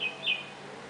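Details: Red-whiskered bulbul (Pycnonotus jocosus) visiting a garden bird-bath in Mysore, late afternoon or early evening bathing time, giving two quick, high chirps, the second slightly louder and longer, over a soft outdoor hiss.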